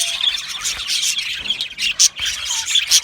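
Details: Aviary of budgerigars, said to be happy, chattering together; high chirps and sharper squawk-like notes burst out about once a second over constant background twitter.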